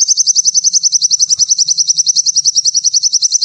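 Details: Sogon, the Indonesian name for a sunbird, in lively song: a fast, very high run of sharp repeated notes, about eight per second, steady and unbroken throughout.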